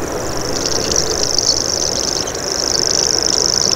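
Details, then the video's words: Common grasshopper warbler's high, buzzing reel runs steadily, slightly wavering in strength, with a few scattered chips from other birds and a muffled low background rumble. "Common Grasshopper Warbler Call"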